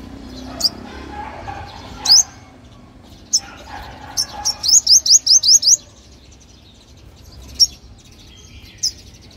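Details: Luring song of a sunbird: isolated thin, high upslurred chips, then a brisk burst of about seven rising notes, followed by a few more lone chips, over a faint low murmur.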